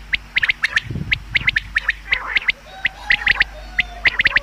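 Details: Common quail calls for hunting: quick sharp clicking notes in pairs and triplets, overlapping, with a soft low thump early on and a thin drawn-out whistle later.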